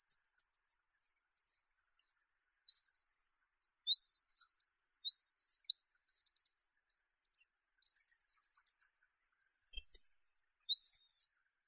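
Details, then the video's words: Guillemot calling with thin, high whistles: bursts of rapid short pips alternate with longer drawn-out whistles that rise then fall, repeated about once a second on a clean, quiet background. "Чистик. Голоса птиц"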